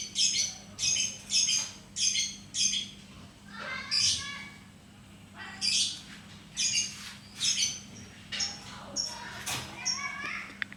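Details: Lovebird giving short, sharp, high chirps in bursts of about half a second, repeated roughly every second with brief pauses, some notes sliding downward, over a faint low steady hum.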